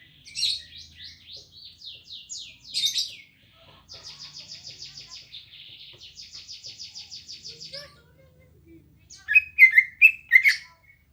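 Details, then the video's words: {'caption': 'Green leafbird singing at a home: sharp falling notes, then two long, evenly pulsed buzzy trills of about eight notes a second, ending in a burst of loud jumbled whistles.'} "Suara Burung Cucak Ijo Gacor Apik Merdu"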